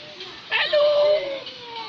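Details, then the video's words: A talking cockatoo at Manila Zoo says a short, voice-like "hello": a breathy onset, then a steady, slightly nasal held tone, with people's voices murmuring faintly in the background. "Talking cockatoo"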